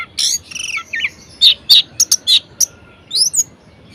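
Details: Caged orange-headed thrush pouring out a varied song meant to stir silent birds: harsh rasps, a twisting whistle, then sharp chipping notes in quick irregular succession and high upslurs.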